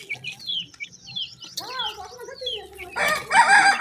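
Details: Grey francolin (teetar) chicks feeding, giving short, thin downslurred peeps in quick, irregular succession, followed near the end by a burst of louder, harsher broadband noise.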